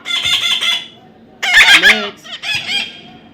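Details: Baby parrot during hand-taming, producing three rough pulsed squawks in a row, the middle one loudest and wavering, with short pauses between them.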